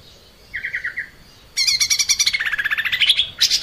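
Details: Lesser green leafbird (cucak ijo mini) in lively 'gacor' song, used as a masteran training recording for cage birds: a soft short trill, then a long run of fast, high, buzzy chirped notes that slide slightly downward, ending in a sharp burst.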